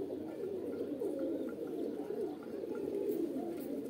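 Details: Pigeons, described as pets and homing or roller birds, give steady low burbling coos from several birds at once, with no pauses.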